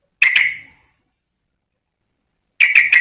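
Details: Female sooty-headed bulbul calling a male, giving a quick pair of bright, clipped notes that trail off briefly. Silence follows for nearly two seconds before a second burst of three fast, ringing notes.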